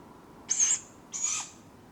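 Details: Dawn in July, Padarn Park woodlands, recorded on a drop rig: a Tawny Owl owlet gives two hoarse, hissing food calls about half a second apart, the second slightly softer.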